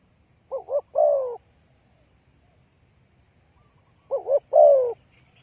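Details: A spotted dove's call is used to lure birds into a trap. Each phrase has twin short rolling notes ending in a longer descending coo. Two phrases are heard, about three and a half seconds apart, with soft low rumble.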